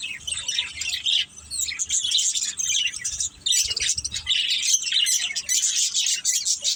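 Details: A budgie family chattering, high rapid chirps and scratchy warbled notes overlapping in uneven bursts, with a couple of short pauses breaking the flow.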